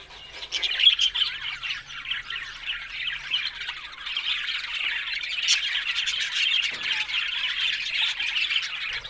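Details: Budgerigars warbling softly at first, then the chatter of squeaky, buzzy notes swells louder and denser in the second half, with a few sharper chirps standing out.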